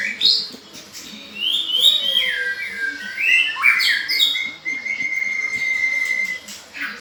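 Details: A white-rumped shama delivers a varied song of whistled slurs, rising and falling swoops and one long, level whistle, loud and clear over a quiet murmur of background noise.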